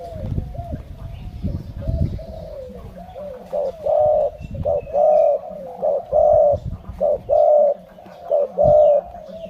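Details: Low rustling and knocking open the recording, then a Malay-line spotted dove starts a steady series of short and long hollow coos repeated every second or so.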